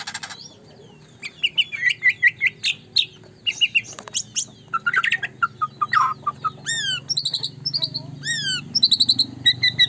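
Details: Caged white-rumped shama in full song: rapid varied chirps, trills and sweeping notes, then high arched whistles repeated in quick series, with a low hum behind.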